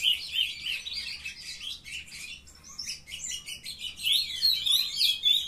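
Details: Captive-bred young ultramarine grosbeaks in full song, several voices of quick chattering and warbling phrases tumbling over one another, briefly softer in the middle before rising again.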